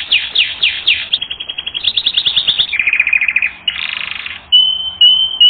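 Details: Canary song from a training recording, with rapid descending sweeps repeated several times a second, then a buzzy rolling tour, a dense rattle and thin sustained whistles at the end.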